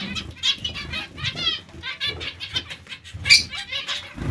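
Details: A colony of zebra finches gives distinct nasal, stacked beeps and quick chirp series, several birds overlapping, with a sharp loud call at about three seconds and soft low rustling.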